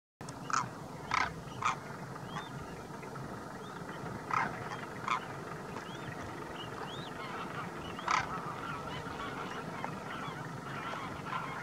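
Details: Large flock of greylag geese gathered with demoiselle cranes at Didwana, Nagaur, Rajasthan, India; loud harsh honks burst out in clusters, several in quick succession, over a constant murmur of fainter rising calls from the massed birds.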